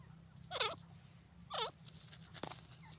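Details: Grey francolin (teetar) in India, 2023: two harsh, wavering nasal notes about a second apart with stacked overtones, then a faint third note, over a steady low hum.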